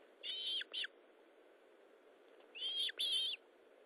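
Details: Paired whistles from an Osprey at its nest during feeding on 19 July 2012 at 9:43: a longer note and a short one, then about two seconds later another longer pair, all bright and steady in pitch.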